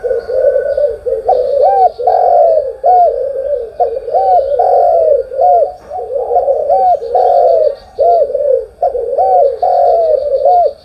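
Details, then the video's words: Spotted dove cooing at morning: a near-continuous chain of arched coo notes, each rising to a peak then falling, repeated steadily for the whole stretch with a faint high hiss. "cu gáy sáng"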